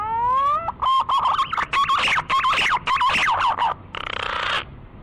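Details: Lure recording of a green pigeon for hunting: a clear rising whistle, then rapid chains of wavering, fluting whistled notes, closing with a short harsh buzzy rattle and a soft whistle.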